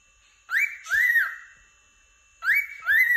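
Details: Happy cockatiel giving two pairs of clear whistled notes, each pair arching up and down, separated by about a second and a half of quiet indoors.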